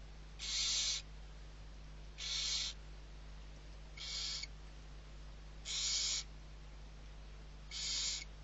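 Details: Six barn owl owlets being fed at Riet Vell reserve, Ebro delta, Spain, 21 November 2023; five rasping, noisy hisses, each about half a second long, repeated roughly every two seconds against a quiet background.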